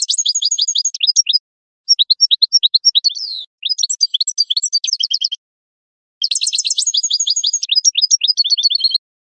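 A goldfinch mule hybrid sings fast, bright twittering phrases of high tinkling notes and rapid trills, broken by short pauses; no other sounds.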